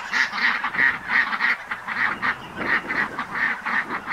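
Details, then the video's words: Ducks quacking in a rapid, uneven series of nasal, harsh calls, several overlapping, about one and a half per second. "Tiếng con vịt kêu"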